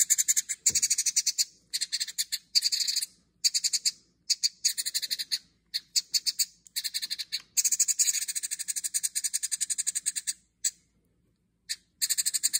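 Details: Orphaned House Wren nestlings, hungry after their mother stopped returning to the birdhouse, give a high, raspy, buzzing chorus of begging calls in rapid stuttering bursts, pausing every second or two.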